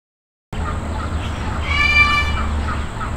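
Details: A Military macaw (Ara militaris) gives a single loud, harsh squawk lasting about half a second, rich and grating, over a steady low rumble of background noise.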